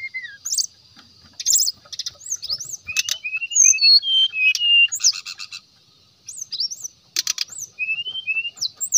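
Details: Brown-chested jungle flycatcher delivering ngeplong-style song to provoke rival birds: short rising and falling whistles, slurred chirps and bursts of buzzy high notes, with a brief pause midway and a steady faint high tone.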